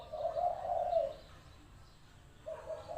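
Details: Caged spotted dove kept as a decoy for luring wild doves, calling energetically: one smooth, low, purring coo lasting about a second, a pause, then the start of another rolling coo.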